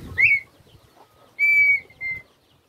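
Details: Red-winged tinamou (Rhynchotus rufescens) calling at the start of a season: clear, fluty whistles, a short upslurred note, then a long steady whistle and a briefer one, over faint background rustle.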